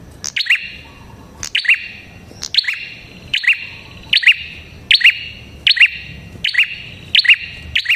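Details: Prinia, a red-headed type, calling loudly. Sharp metallic double-noted chirps with a bright downward sweep repeat about every second in an even run, each followed by a faint ringing tail over a quiet background.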